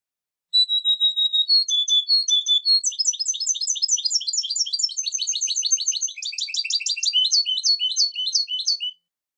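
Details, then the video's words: Long European goldfinch song. It opens with a few sustained clear whistles and stuttered notes, then pours into a fast, rattling, jangling twitter that shifts pattern midway. It runs unbroken for about eight seconds. "canto de jilguero"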